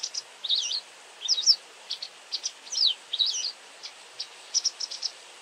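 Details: A very vocal White wagtail gives bursts of high, slurred twittering notes: looping chirps alternating with short sharp clipped calls, in irregular groups with brief pauses, over a soft steady hiss.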